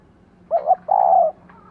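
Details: Spotted dove hen calling to excite a male: a soft double hoot followed by a drawn-out, even coo. A faint thin whistle follows at the end.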